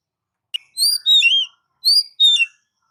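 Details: Oriental magpie-robin song for stimulating kept birds: a sharp click, then rich high whistled notes sliding downward in two short paired phrases.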